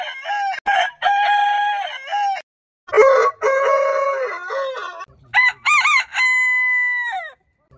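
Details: Backyard heritage-breed roosters crowing: three separate crows, each opening with rough stuttered syllables and ending in a steady held note, the last sweeping cleanly downward at its close.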